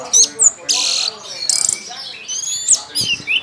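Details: Orange-headed thrush, a contest songbird singing loudly with its tail open, gives harsh buzzy bursts alternating with thin whistled notes and short chips in a choppy sequence.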